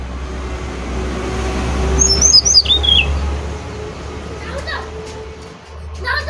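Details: Brown-chested jungle flycatcher from Bali singing actively: a thin, high whistled phrase stepping downward in a series of quick slurred notes near the middle, over a steady low hum and faint background chirps.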